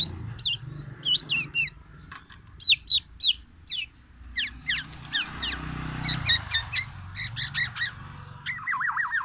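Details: Black-naped oriole from Aceh, Sumatra, singing actively with a full repertoire imitating white-rumped shama song: sharp high whistled notes and quick downslurred chirps in bursts, a wavering whistled phrase at the end, low rumbling background noise.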